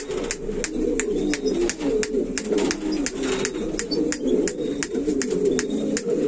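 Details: Buchón valenciano antiguo pigeon, a domestic breed selected for flight and display, cooing in a steady low murmuring burble of overlapping rolling coos, with frequent sharp clicks throughout.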